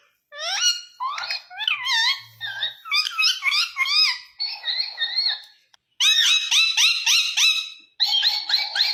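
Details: An Indian ringneck parakeet chatters almost without a break, producing a long string of rising, speech-like syllables in quick succession. Loud bursts of rapid repeated syllables close it out.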